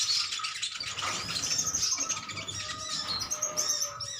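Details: Metallic-green sunbirds in a colony calling at each other: unbroken, bright high chirping and twittering with thin rising notes from several birds.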